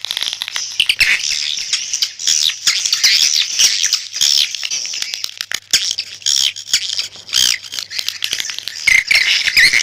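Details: Swiftlet lure call: a busy, high-pitched chorus of buzzy chirps and clicking trills, near-constant, with short gaps and a louder burst of chirps toward the end.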